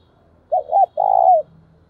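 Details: Spotted dove used as a caged decoy, calling to attract wild doves: two quick rising coos, then one long, loud, purring coo that drops in pitch, over a faint low background hum.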